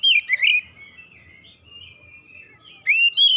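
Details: Provoked oriental magpie-robin in aggressive challenge: brief bright warbled phrase, then a long thin sustained whistle, ending in a loud rising, looping whistled phrase.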